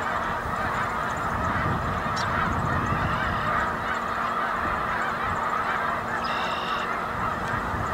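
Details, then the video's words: Snow geese on a pond, recorded 3/4/2011: a steady, dense chorus of overlapping honks and chatter from many birds, with a brief higher, clearer call standing out near the end. "snow geese #2"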